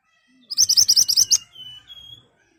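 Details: Ashy tailorbird in full voice, its sharp song used as a lure so birds answer quickly: a rapid run of about eight loud, high notes, then a softer thin level whistle and faint low rumble.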